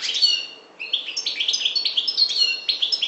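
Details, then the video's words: European goldfinch of the subspecies parva from the Maghreb singing a fast, bright twittering song of short high chirps and liquid trills, with a brief pause before a steady run of repeated notes. "Chardonneret parva maghreb"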